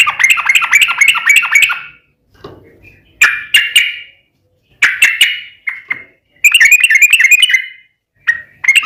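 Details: Sooty-headed bulbul in long 'ropel' singing, used as a lure to provoke other bulbuls into answering: bursts of bubbly, chattering notes near the upper-middle range, broken by short pauses, with echoing tails on each note.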